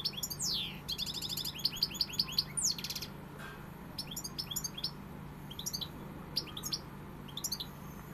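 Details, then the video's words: European goldfinch singing in the pegada style: rapid tinkling high twitters, a fast run of repeated chirps and sharp descending buzzy notes in the first three seconds, then scattered bright twittering phrases over a steady low hum. "Jilguero pegada"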